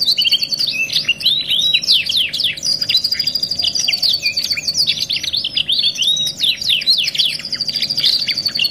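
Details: Rich, unbroken canary singing from a '2 in 1' masteran recording: bright whistles interleaved with rapid buzzy trills and sharp down-slurred chirps, the phrases overlapping densely, over a low steady hum.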